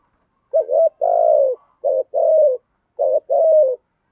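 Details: Spotted dove giving a 'thúc gù' urging coo, used to lure wild doves: three paired phrases, each a short wavering note followed by a longer, low, slightly falling coo, repeated about every second against a quiet background.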